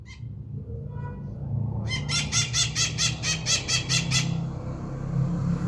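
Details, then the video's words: Maritaca, a parakeet, calling: a series of about nine harsh, harmonic squawks repeated quickly in the middle of the recording, after a few fainter notes, over low background rumble. "maritaca fazendo barulho"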